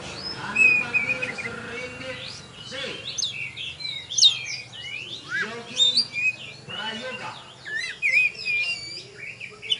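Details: Oriental magpie-robin, a champion bird at a songbird contest in Tebas, singing a rich, varied song of sharp whistles, rapid chirps and sweeping high notes in dense bursts, with other birds and faint voices in the background.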